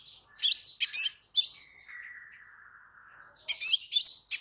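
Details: Crimson sunbird song, played to trigger a kept bird's answer: rapid sharp chirps in two bursts framing a long, faint, gently falling whistle.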